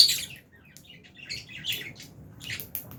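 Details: Chirping of Fischer's and albino lovebirds kept together in an aviary at meal time; dense high twittering and scratchy chirps, busiest at the start and again toward the end, with a low hum underneath.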